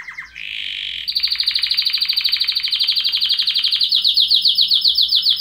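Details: A canary (Serinus canaria) sings a bright, high, continuous song of rapid trilled rolls, switching between buzzy and clear-toned phrases at about four notes a second.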